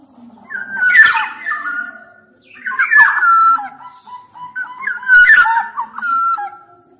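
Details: Black-naped oriole in full song, used to coax reluctant captive orioles into singing: three phrases of liquid, fluty whistles stepping up and down, each opening with a rough, nasal note.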